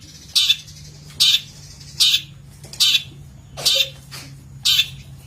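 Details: Six harsh, scratchy squawks from a long-tailed shrike, evenly spaced about every 0.8 seconds, on a master recording for training birds, with a constant low hum behind them.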